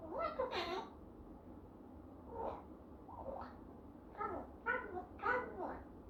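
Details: A one-year-old Eclectus parrot speaks its first words in a small room: about six short, speech-like phrases with human-sounding vowels and changing pitch across six seconds.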